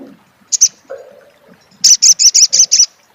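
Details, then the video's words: Crecet chatter from an olive-backed sunbird (sogok ontong). A loud doubled chip is followed by a pause, then a brisk series of seven bright, evenly spaced high notes in under a second. "suara crecet SOGON / sogok ontong!!"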